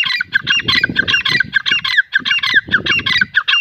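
Francolin giving loud, harsh, squawking notes in a fast, ragged series, under two per second, over low rumbling background noise.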